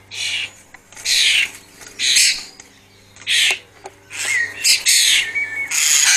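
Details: Jackdaws in a cottage garden in Scone, Perth, Perthshire, Scotland, on a spring afternoon, give harsh, scratchy squawks in irregular bursts, about one a second, over a faint low hum.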